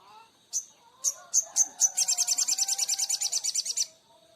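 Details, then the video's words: Oriental magpie-robin singing strongly: five spaced, very high sharp notes, then a quick run of about twenty repeated high chirps over nearly two seconds; faint low murmuring in the background. "SOGON GACOR"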